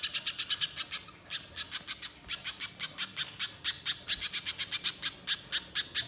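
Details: Spiderhunter chattering at length, recorded as a lure sound for the wild: almost unbroken string of sharp, high, clipped notes, roughly five to six per second, with only slight breaks.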